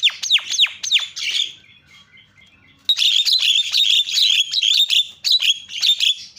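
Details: Javan myna lure calls for drawing out other mynas: several sharp downslurred whistles, a pause, then a long buzzy, grating series of repeated notes.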